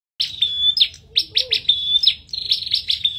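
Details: Bar-winged prinia in a song duel, singing loudly and persistently: high, thin whistled notes alternating with sharp buzzy chips in quick bursts, with brief gaps between phrases.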